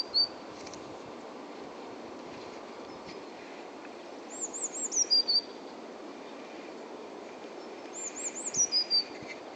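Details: Blue tit singing at Uppsala Botanic Garden, recorded on a hand-held DMC-G2 camera with an HVS014140 lens: two phrases about four seconds apart, each with very high thin notes followed by a quick falling trill, over a steady low background rumble.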